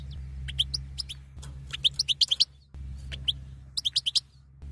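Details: Female European goldfinch giving batbata calls, used to excite a caged male to mate: short, high, sharp chirps, first scattered, then two quick bursts of five or six notes each, over a steady low electrical hum.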